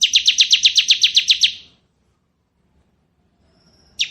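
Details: Ngebren singing by a bar-winged prinia of the ciblek kristal type: a run of about twelve rapid, piercing high notes, then silence before a brief new note.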